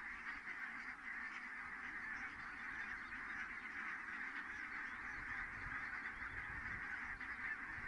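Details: Geese in great numbers coming down at Kulgur, Estonia, 4 May 2018 shortly before six in the evening, heard as a steady distant babble of overlapping honks.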